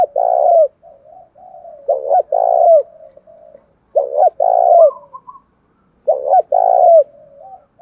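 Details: Spotted dove cooing in the field-voice lure style meant to attract wild doves and spur them to fight. Four phrases come about every two seconds, each a short double coo then a longer droning coo, with soft murmurs between.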